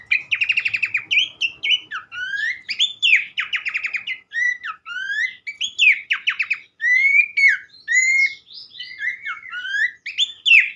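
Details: Abbott's babbler singing energetic phrases: opening trill bursts, then varied upward and downward whistled slurs with layered harmonics, repeated rapidly. Used as a therapy recording to prompt singing in other birds.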